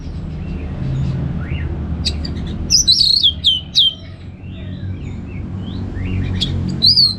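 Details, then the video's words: Orange-headed thrush delivering ngeplong song: a sparse start, then a quick flurry of loud, sharply slurred high whistles, softer lower warbles, and a final bright whistle, over low steady hum. "$uara ANIS MERAH Ngeplong"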